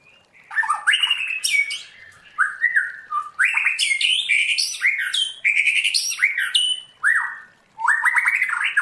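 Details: White-rumped shama trained to the 'forest voice' song style, singing loud continuous phrases of rich whistles, rapid trills and sharp high notes with short pauses between bursts.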